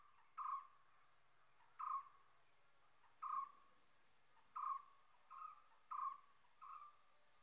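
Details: Common hawk-cuckoo repeating short, ringing whistled notes about every one and a half seconds, the last few coming faster and softer; seven notes with only low hiss behind.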